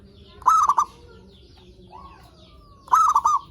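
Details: Zebra dove song used to lure and stimulate other zebra doves. Two loud stuttering phrases of three or four clipped, cooing notes arrive about two and a half seconds apart, with a soft rising call between them.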